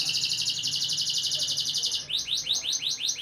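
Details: Canary singing to bring females into breeding condition, with a fast, fine buzzy trill held for two seconds, followed by a quick series of rising swept notes, roughly four each second.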